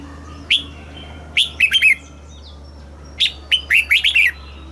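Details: Red-whiskered bulbul song, southern master style, played to stimulate caged birds and teach young birds: two short bursts of bright warbled notes dropping in pitch, the second phrase of about six quick slurred notes, over a low steady hum.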